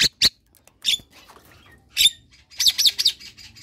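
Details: A semi white-eyed Javan myna sings energetically in a cage while bathing, giving a rapid string of harsh, noisy squawks and scratchy clicks, ending in a dense burst of rasping chatter.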